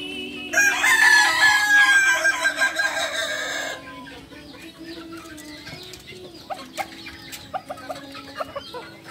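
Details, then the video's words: Ornamental Kukuak Balenggek rooster from Solok, West Sumatra, drying in the sun after a bath, gives a long harmonic crow of stepped, wavering notes lasting about three seconds, followed by softer scattered clucks and clicks over a steady low background hum. "Ayam kukuak balenggek ayam hias dari solok sumbar"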